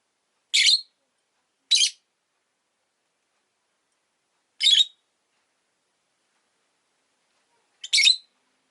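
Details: Pair of rosy-faced lovebirds, pets huddled at an entrance, give four brief, scratchy high chirps, two close together early, then long pauses before the last two.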